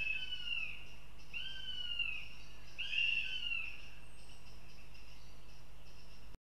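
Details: Young female northern goshawk at the nest in Riga, Latvia, giving three drawn-out, slightly falling whining calls about every one and a half seconds, then quiet, over a steady low hum.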